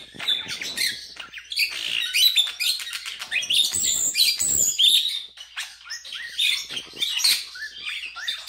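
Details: A pet common starling sings on a bed, trying to wake its owner from a nap: a busy, continuous jumble of clicks, whistles, rattles and squeaky chatter, mostly high-pitched, with brief pauses between bursts.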